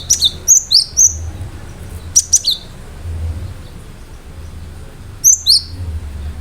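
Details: Sharp, high-pitched song of a gelatik batu (cinereous tit), used to prompt other birds to reply. Three brief bursts of quick downslurred whistles are separated by quiet gaps filled with low humming noise.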